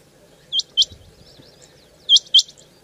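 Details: A quail gives sharp, high, liquid notes in quick pairs, about one pair every one and a half seconds over a quiet background; a calling sound used to lure quail for hunting.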